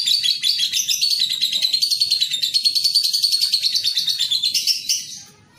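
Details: Young lovebird recorded as training material for fluent singing and long ngekek: a continuous rapid, buzzy high chatter of pulsed notes lasting about five seconds, rising briefly at the end before fading.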